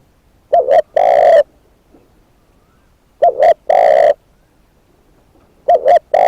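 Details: Spotted dove kept as a decoy bird, giving three cooing phrases about every two and a half seconds, each a quick doubled hoot followed by a longer, rougher coo, with quiet pauses between.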